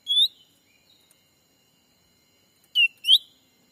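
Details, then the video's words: Black-capped bulbul lure call for attracting wild birds during daytime trapping in a Sumatran forest. One rising whistle, a pause, then a quick falling and rising pair of clear notes, with little background sound. "suara asli pikat cucak ranting"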